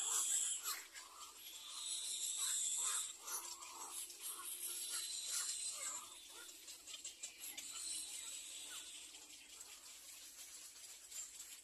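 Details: Hungry little egret chicks in the nest beg for food with harsh, raspy, broadband calls in irregular bursts. The calls are loudest in the first three seconds and then fade to a quieter, steady chatter.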